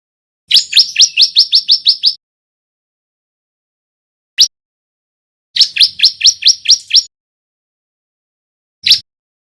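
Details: Bar-winged prinia, a male learning its song, gives a fast string of about nine rising high chirps, a lone note, then a second burst of roughly eight, ending with another single chirp.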